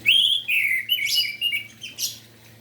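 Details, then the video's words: Orange-headed thrush (anis merah) singing prolifically in the morning, used to stir silent birds into song: loud sliding whistled phrases, falling then rising, broken into about five bursts with sharp high notes, over a faint steady hum. "Anis merah Gacor Pagi hari - Merangsang emosi dan Birahi Anis Merah"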